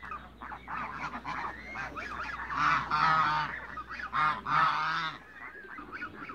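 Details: African geese, mature and young, kept in a farm backyard in Greece: a rapid series of nasal honks, several birds calling at once and swelling louder in the middle before fading.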